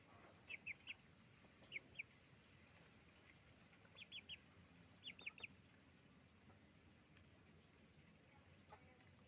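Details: Roosters and hens making noise on a chicken farm; short sharp high clucks in quick clusters of two or three, repeated every second or so, over a steady low hum of farm background.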